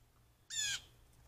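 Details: Blue jay calling near a deck, captured by a trail camera: a single short, harsh, raspy squawk lasting about a third of a second, rich in overtones, over quiet low hum.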